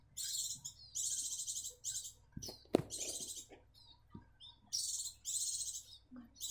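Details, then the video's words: Grey-cheeked bulbuls bred in captivity in South Jakarta, already perching on their second day out of the nest. Rasping high chatter comes in repeated half-second bursts, broken by a sharp knock and a few low thuds midway. "Breeding cucak jenggot jawa"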